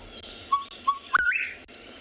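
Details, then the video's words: Gorgeous bush-shrike song variation from a recording played in Tswalu Kalahari Reserve, South Africa: two short, clipped low whistles, then a sharp upward-sliding note ending in a fuller, higher tone, with light background hiss. "A few different variations there, the gorgeous bush shrike."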